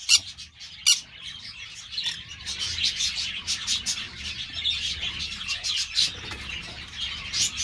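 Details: Pyrrhura molinae held by an amateur breeder: two loud harsh squawks open, then a steady wash of high, gritty twittering with scattered short shrieks over a low hum.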